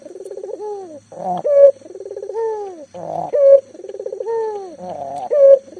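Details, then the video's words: Busy local puter dove, a lure caller for mute doves, cycles three times through a bubbling pulsed coo, a falling whistle-like note and a rough loud burst. "burung puter lokal gacor"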